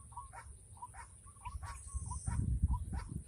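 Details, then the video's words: White-breasted waterhen during a rainy-season trapping lure: quick croaking notes repeated about three times a second, with clicks and a louder rumbling thump toward the end. "Pikat ruak ruak"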